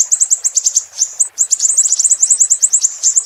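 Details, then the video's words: Siri-siri song played as a tutor recording for training captive songbirds: rapid, very high thin chirps and short trills repeated in quick succession, with slight pauses, against a quiet background. "Masteran MB Super Pedas Level 10 II Burung Siri-Siri"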